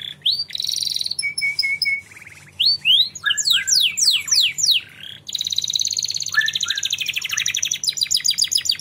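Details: Canary song used as a lure to prompt young canaries to sing: clear whistles, a short run of level notes, loud looping upward sweeps, then a long fast buzzy trill and rapid rattling trills.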